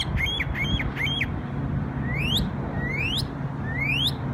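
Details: New York bird on Memorial Day: three quick, high chirps, then three long, clear whistles that sweep upward, each about a second apart, with a low steady hum beneath.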